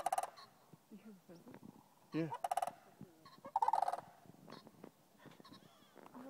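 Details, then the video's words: Wild sandhill cranes in a New Mexico field by the Rio Grande, Albuquerque, mid-November 2012, groups calling back and forth; short trilled rattling bugles come in scattered bursts with quieter gaps and a lower descending honk mixed in. "Sandhill Cranes Calling"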